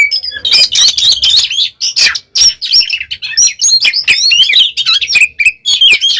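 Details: An oriental magpie-robin sings in gacor ngeplong style, loud and free-flowing: a dense, rapid jumble of chattering notes and twisting whistles with barely any pauses.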